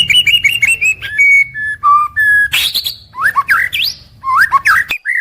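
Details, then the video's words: White-rumped shama in morning-to-evening daily song, opening with a quick repeated whistled note series, then steady level whistles, a harsh burst and looping upward-curving whistled phrases. "Suara Harian Paling Stabil untuk Murai Batu"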